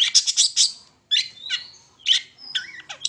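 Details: Long-tailed shrike song used to lure other shrikes into singing: harsh high scratchy bursts, a short gap, then buzzy phrases mixed with a clear thin whistle and a squeaky twisting note.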